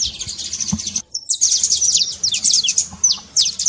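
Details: Saffron finch trill meant to stir a quiet bird into singing: rapid high descending notes in fast bursts, a brief silence near one second, then dense chattering runs.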